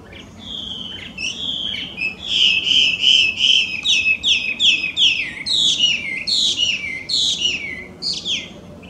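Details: Loud song of a Chinese hwamei, a wild bird from China introduced to Japan as an invasive species: rapid series of bright whistled notes, some sustained, then quick repeated slurred phrases about three per second, over soft background noise.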